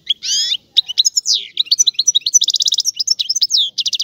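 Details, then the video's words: Rare old-style song of a Sicilian European goldfinch, opening with a harsh buzzy note, then a rapid run of sharp chirps, downslurred whistles and bright buzzing trills. "Canto del Cardellino"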